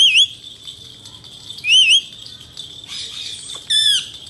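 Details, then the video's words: Male Indian ringneck parakeets, kept as talking birds: shrill, wavering whistled notes that dip and rise, in three short bursts spaced about a second and a half apart, with quiet rustling between them. "Best talking male parrots"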